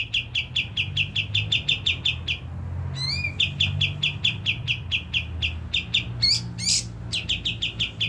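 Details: Kapas tembak lure song to set birds singing: rapid repeated chirps, rising swept notes in the middle, then more chirps mixed with a few fuller complex notes.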